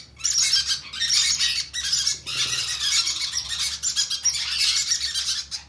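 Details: Conure chicks calling for food during hand feeding, a nearly continuous stream of rasping, buzzy, high-pitched squeals with only brief dips.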